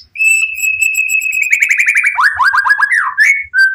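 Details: White-rumped shama, caged, singing full of emotion to draw other shamas into answering: a long steady whistle that breaks into a quick trill, then a run of falling slurred notes and a final lower whistle.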